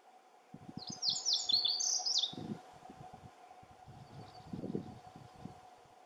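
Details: Lazuli bunting singing constantly at Camas Meadow, where several others sing too: one high, rapid phrase of sweet slurred and buzzy notes lasting about 1.5 seconds, with low rustling and handling thumps throughout and a faint distant song afterward.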